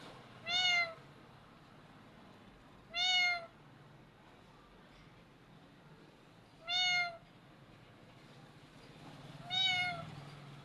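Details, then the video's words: Talking parrot copying a cat, giving four separate mewing calls, each short, bright and slightly bent in pitch, repeated every two to three seconds with soft background hiss between them. "Parrot speak, Clever Parrot making sound the cat"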